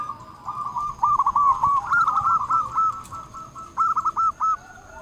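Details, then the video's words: Local zebra dove singing to call rivals, a rapid series of soft rolling coos near one pitch, uneven phrases with short gaps, faint background hum. "Perkutut lokal gacor Ahlinya memanggil lawan bikin burung perkutut gacor nyaut"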